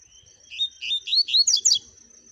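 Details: Double-collared seedeater song: a quick phrase of about seven bright, sliding chirps between mid and high pitch, rising toward a sharper, higher finish, over a faint steady high whine.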